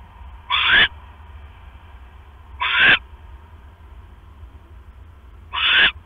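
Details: Owls at a nest on the night of October 5, 2015, the male arriving with a rat while the female broods eggs; three scratchy, hissing screeches spaced about two to three seconds apart above low hum.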